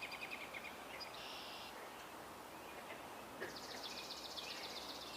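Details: A Swamp Sparrow gives a faint, even trill of rapid high notes, once briefly and again for nearly two seconds, over steady outdoor hiss, on 3 July 2021 during a birding walk.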